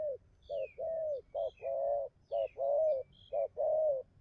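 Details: Spotted dove cooing, short pulsed notes each followed by a longer smooth coo in quick succession, with thin high sliding chirps of other birds throughout.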